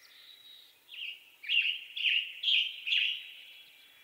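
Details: Western tanager song from western North America: a soft opening note followed by four or five rough, burry phrases spaced about half a second apart, strong and clear against a quiet background.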